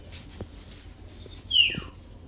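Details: A pet bulbul gives a single clear whistled note that slides quickly downward, preceded by faint high chirps, with soft background noise; it is vocalizing while a person sings to it.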